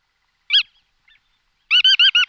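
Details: Bar-tailed godwit giving short, nasal, harmonic call notes: one single note, a pause, then a quick burst of four evenly spaced notes, each clear and ringing in a silent background.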